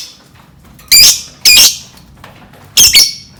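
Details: Lovebird calls used as a lure for other lovebirds: three loud, harsh, shrill screeches, each about a quarter second long, separated by short pauses.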